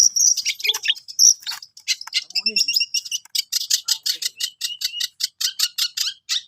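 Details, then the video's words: A long-tailed shrike, or cendet, at song practice: irregular harsh chirps at first, then a steady string of sharp, buzzy notes repeated about three times per second. "BELAJAR MAEN, BURUNG CENDET"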